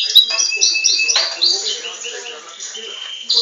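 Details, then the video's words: Belgian canary, a captive-bred bird, singing softer and more broken phrases. High whistled slurs and short trills alternate, with a sustained whistled note near the end and some faint background murmur. "O Canto do Canário Belga"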